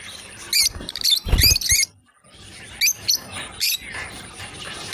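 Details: Lovebird pair playing together, sharp high chirps in rapid clusters, a brief quiet pause, then further scattered chirps over low rustling background noise.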